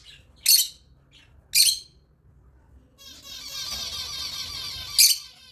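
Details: African lovebird chirps: two loud harsh squawks a second apart, then a sustained rapid, twittering chatter with another sharp squawk at its end.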